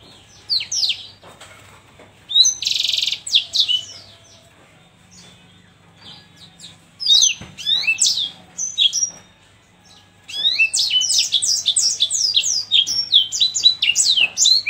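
Yellow-fronted canary singing bright, high chirps and quick twittered phrases in bursts, ending in a sustained rapid trilling run; a faint low hum underneath.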